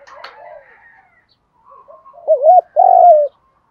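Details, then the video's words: Spotted dove cooing, used to train and provoke decoy doves to call back: soft scattered coos, then one loud phrase, a quick wavering double note followed by a long, smooth, slightly falling coo. "tiếng chim cu gáy thúc đấu luyện cu gáy mồi gáy theo"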